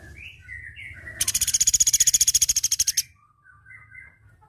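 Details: Platuk beras flowerpecker training recording: soft, high chirps lead into a loud, fast rattle of about twenty evenly spaced, buzzy ticks lasting nearly two seconds. Faint, thin whistles follow after a pause.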